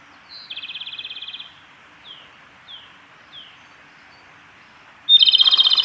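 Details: Male Japanese robin singing at Yanagisawa Pass on 28 April 2019: a high note leading into a fast, rattling trill, three short down-slurred whistles, then a second loud, rapid trill. Background otherwise quiet.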